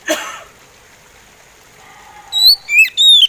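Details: Oriental magpie robin, slow song: a brief noisy thump opens, then near silence with a faint low whistle before three loud high whistled phrases, sliding and slurred, arrive near the end.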